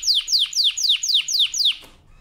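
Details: Canary singing: seven bright notes sweeping sharply downward, about four each second, then silence.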